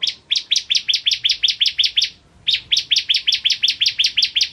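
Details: Ciblek kristal, bar-winged prinia, singing vigorously: two back-to-back runs of rapid, ringing high chirps, about five per second, split by a brief half-second gap.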